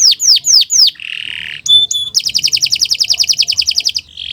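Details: Canary singing in the morning, master song for training birds: four falling whistles, a low buzzy roll, two clear steady tones, then a long rapid trill ending in a buzz.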